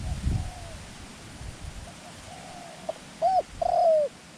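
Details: Decoy dove luring wild doves: faint, drawn-out coos at first, then two louder, clear arched notes near the end against a soft low background hum.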